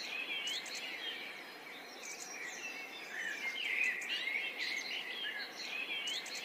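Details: A pair of sparrows feeding happily together chirp in short, bright overlapping notes, about three a second, over a steady hiss of background noise.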